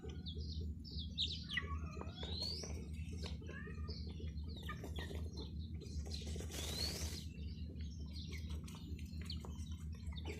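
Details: Baby chicks peeping in a group: short, high, sliding chirps tumbling over each other, with a brief burst of wing flapping midway and a constant low hum in the background.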